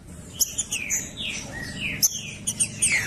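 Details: Brief stretch of green-winged saltator 'professor' song, used to stimulate another trinca-ferro: a couple of smooth slurred whistles gliding downward, with thin high chips above and faint low hum beneath.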